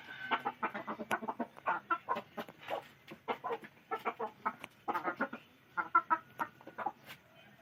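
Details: Chickens clucking steadily in short, rapid bursts of low, repeated notes, several birds overlapping.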